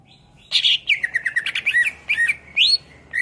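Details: Greater green leafbird (cucak ijo) in full song as a model for teaching songbirds: dense fast chattering with slurred whistled notes, ending in a rising whistle and a further burst.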